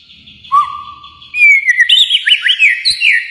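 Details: White-rumped shama from Kalimantan: a short low whistle, then a long rising whistle leading into a fast, jumbled series of high slurred notes.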